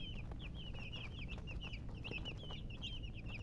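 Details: A brood of baby chickens chirps rapidly, bright high peeps tumbling over one another several times a second, with soft knocks and a low steady noise behind.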